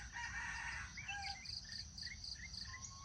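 A junglefowl gives one hoarse, harmonic crow in the first second, followed by rapid, high chirps from insects or small birds.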